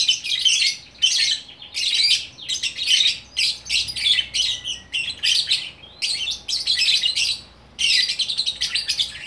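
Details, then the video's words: Single lovebird in Bukittinggi, West Sumatra, singing in gacor orkestra style: loud rasping chatter in long dense phrases, broken by short pauses, high and harsh throughout. "Burung Lovebird Gacor Orkestra"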